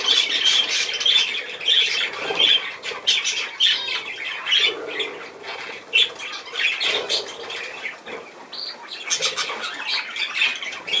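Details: Budgerigars keep up a long, lively babble of scratchy squawks, clicks and whistled chirps, louder at first, dipping midway, then picking up again with sharp bursts.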